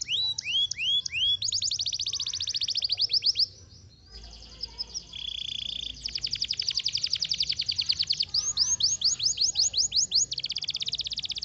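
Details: Canary singing a long, varied song: rapid high trills of repeated downward-swept notes, a steady buzzy tone near the middle, then fast rolling rattles and sweeping whistles, with a faint background hum.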